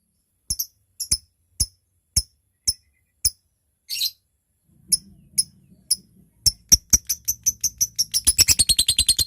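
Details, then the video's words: Lovebird ngetik, used to lure other lovebirds and call a rival: sharp separate ticks about every half second, then a short buzzy burst, then ticks quickening into a fast, dense chatter at the end. "Suara LOVEBIRD GACOR, NGETIK Lanjut NGEKEK PANJANG Memanggil LAWAN"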